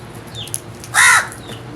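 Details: A crow gives a single loud, harsh caw lasting about a quarter second, after a short quiet stretch with faint chirps from small birds in the background.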